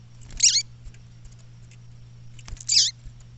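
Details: A female Double-collared Seedeater calling in the bush gives two short, high, twisting chirps about two seconds apart, over a steady low electrical hum.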